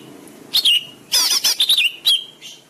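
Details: Caged-bird training song of the greater green leafbird: brief high whistles and a dense burst of rich, tumbling warbled notes with quick slurred inflections, closing on a single clear whistle.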